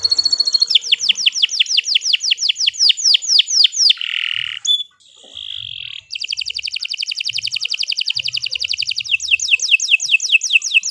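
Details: Continuous canary song: a run of descending whistled sweeps, a short buzzy phrase and clear whistle, then a long rapid trill of evenly repeated notes returning to falling sweeps.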